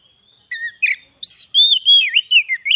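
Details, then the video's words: White-rumped shama song played to lure wild shamas: a thin opening whistle, a short chirp, then a rich flowing phrase of sliding, looping whistled notes. "suara burung kacer cocok buat pikat burung kacer di huta liat dan cocok buat menaikan emosi kacer"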